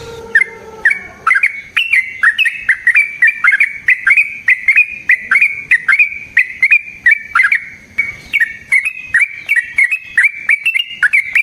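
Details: Sooty-headed bulbul singing a long rolling, chattering sequence described as fighting song, with rapid repeated notes at an even pitch continuing for over ten seconds after a lower opening phrase.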